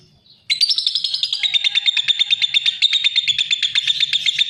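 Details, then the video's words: Lovebird song: after a brief pause, a loud burst of rapid, buzzy chattering notes, steady and high, pulsing quickly and continuously for four seconds. "Suara Kicau Burung LOVEBIRD"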